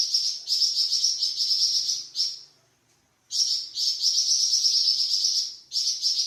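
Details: Varied song of a Flamboyan bird used to train cucak ijo and magpie robin: bright high chattering trills in two long bursts separated by about a second of quiet, with a short phrase between.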